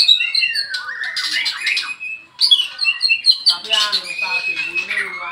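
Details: Caged white-rumped shama in the afternoon, paired with a Medan shama for training; loud, harsh, buzzy notes mixed with bright whistled slurs, a brief pause midway, then rough churring phrases.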